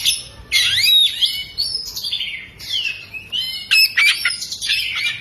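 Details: Oriental magpie-robin, a kept bird, fanning its tail while singing a loud, varied song with mimicked lovebird phrases: sweeping whistles sliding between high and mid pitch, harsh buzzy bursts and rapid chattering notes in quick succession.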